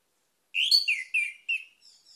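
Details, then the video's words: Orange-headed thrush song: four loud, slurred whistled notes sliding downward with bright overtones, then a few faint high twitters trailing off. "ANIS MERAH MACET AUTO GACOR"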